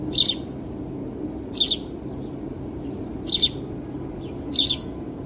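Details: House sparrow calls: short bright chirps in pairs, repeated about every one and a half seconds, over a low background hum.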